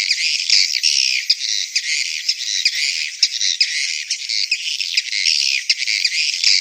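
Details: Swiftlets give courtship and breeding calls: a dense, continuous high twittering chatter, many buzzy chirps overlapping with brief dips throughout.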